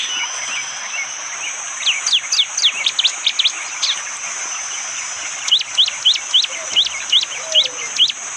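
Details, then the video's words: Bar-winged prinia from a rainy morning forest in East Java, Indonesia, captured by phone: two bursts of quick, sharp descending chips, the first stuttering and irregular, the second a tighter even series, over a steady insect drone. "Tembakan burung prenjak jali!!"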